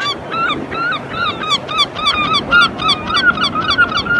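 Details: A group of herring gulls, calling, flying and fighting, give loud, nasal, squealing calls, overlapping and repeated almost twice a second, with a low background rumble.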